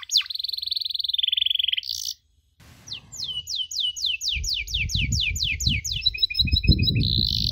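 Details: Canary from a tutor recording for young canaries learning the 'cuit cuit' chirp: a sustained buzzy rolling tone, a brief silence, then a series of high falling chirps and a quick ticking trill, over a low rumble.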